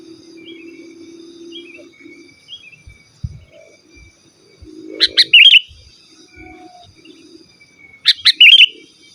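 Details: Sooty-headed bulbul singing, without mimicked fillers, to call rivals and tutor caged birds: two short, bright bubbling phrases about three seconds apart, over a low humming murmur and soft background noise.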